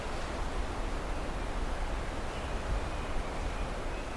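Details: Steady low rumbling wind or surf noise outdoors with no animal calls.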